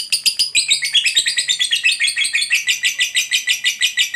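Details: Lovebird giving a long ngekek chatter, used to provoke other lovebirds to answer: a dense, rapid run of harsh, buzzy high notes, about three per second, in a continuous stream.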